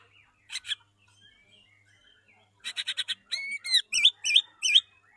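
White-rumped shama singing a varied phrase: a burst of rapid dry chips, then rich looping whistles that rise and twist, repeated in quick succession.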